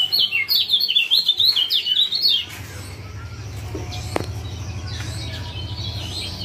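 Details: Rapid, bright 'ciak ciak' chirps from a male Lombok lemon-bellied white-eye, a lure to make a quiet male sing; a busy run of high zigzag notes for two seconds, then low hum and a single click.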